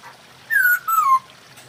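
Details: Mating call of a masked laughingthrush, given to raise breeding drive: one loud whistle gliding downward in two joined parts, the second lower and ending abruptly, over faint background hiss.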